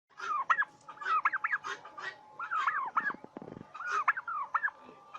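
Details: Turkeys on a farm in Bangladesh giving bursts of high, wavering yelping calls in quick, warbling runs, repeated in three groups, with a short rattling clatter in between.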